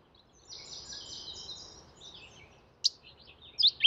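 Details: Mourning warbler calling in a natural setting: a quick run of high, slightly buzzy repeated notes early on, then a few sharp high chips near the end.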